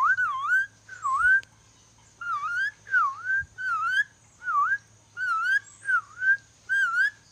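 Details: Ornate lorikeet, a Sulawesi parrot, practising whistling: a series of about nine clear, slurred whistles, each dipping then rising, evenly repeated with short pauses and bright overtones, against a steady low hum.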